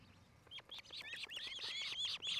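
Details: Osprey at a nest near Charlo, Montana, one of a nesting pair: an excited stream of high, slurred whistled chirps, quickening and growing louder toward the end.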